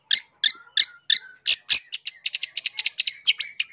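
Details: Long-tailed shrike song for luring birds, opening with evenly spaced harsh notes about every third of a second, followed by a rapid run of short chirps.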